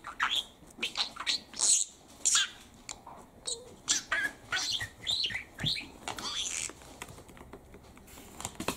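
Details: Chattering male pet parakeet produces bursts of high squeaky, speech-like syllables about every second, mixed with clicks and short whistles.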